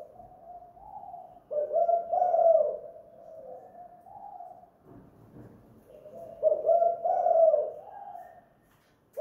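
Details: Spotted dove, or derkuku, calling vigorously at home in the guk gantung lure style. Gentle coos build into loud, throaty phrases twice, each followed by quieter trailing notes.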